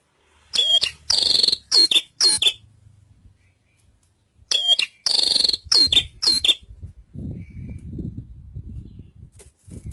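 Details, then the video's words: Javan bush lark giving two bursts of loud, harsh, high chirps in quick clusters, separated by a pause, followed by low background rumble and a faint thin whistle. "Suara Burung Branjangan"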